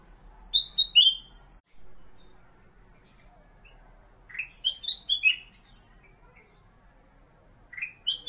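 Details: Kutilang emas, the Black-capped bulbul, kept as a song tutor for white-rumped shamas: brief phrases of sweet whistled notes stepping up and down, separated by pauses of several seconds, with faint room noise between phrases.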